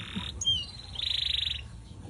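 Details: Atlantic canary singing outside a cage, master song for training other birds; a flat whistled note, a short slur, then a fast rolling buzzy trill.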